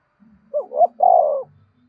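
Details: Spotted dove song meant to spur captive wild-caught doves to call all day: a single phrase of two quick upslurred notes and a sustained burry coo, over a faint low hum.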